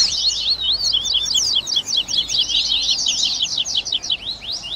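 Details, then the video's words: Baderna mix of tui tui Double-collared seedeater songs, including grego, viviti, flauteado and 3ª nota, for training captive birds. An unbroken stream of fast, high, buzzy notes repeated in tight rhythmic sequences. "ESQUENTE SEU COLEIRO Áudio de Baderna"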